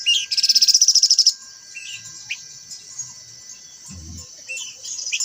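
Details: White-browed laughingthrush singing: a loud, fast buzzy rattle of about a dozen rapid notes in the first second, then scattered short chirps over a steady high insect drone.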